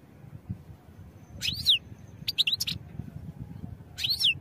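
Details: European goldfinch recorded for song training: three bright, high call notes, the first and last sliding downward, the middle a quick double chirp, against a low background rumble.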